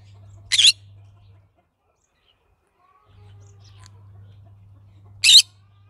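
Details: Green-cheeked conure giving two short, harsh, broadband squawks about four and a half seconds apart, with a low steady hum in the background between calls.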